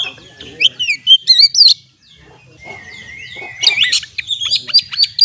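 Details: White-rumped shama song used as therapy lure for stressed birds. Quick looping whistles and chips, a brief silence near two seconds, then a long smooth whistle leading into renewed rapid varied notes.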